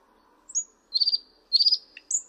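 A thrush nightingale sings a high, thin whistle, then two bursts of dry, rattling notes, and ends on another sharp whistle. The background is quiet.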